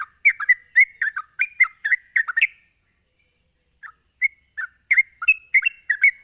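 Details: Sooty-headed bulbul in ropelan style, a fast song played to goad other bulbuls: dense bursts of gurgling, up-and-down notes, a pause of about a second, then a softer and sparser resumption of the chatter.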